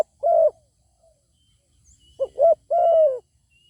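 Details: Zebra dove cooing in Thailand while a wild bird with a fine voice calls nearby but will not come down to fight: a single mellow coo, then after a pause a quick double coo followed by a long level coo.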